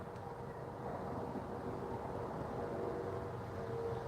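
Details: Low engine-like rumble with a faint steady hum, and no animal calls.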